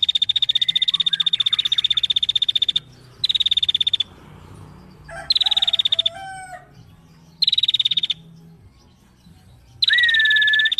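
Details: Female bar-winged prinia delivering bursts of fast high ticking trill separated by short gaps, with a few lower whistled notes in the middle and a long level whistle near the end.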